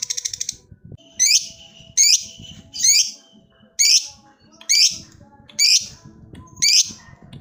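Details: Lovebird calling a rival: a short burst of fast high chatter opens, followed by seven harsh, squeaky, slightly rising calls repeated evenly about every three-quarters of a second.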